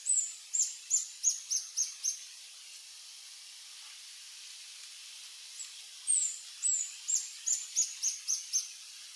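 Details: Male Reddish Hermit, adult, lekking in French Guiana on 1 March 2024 at 15:03: two bouts of rapid, thin, high-pitched squeaky notes, each about six to eight notes, separated by a few seconds of quiet hiss.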